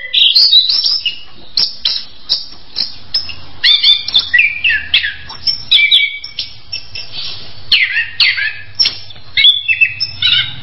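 An Orange-headed Thrush sings a rich, rapid run of varied whistled and chattering phrases, high and bright, with a faint low hum underneath.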